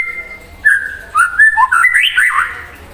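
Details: Singing white-rumped shama provoking an untrained bird: a long held whistle, then a rich warbling phrase of slurred notes that climbs and falls in quick succession, loud and clear.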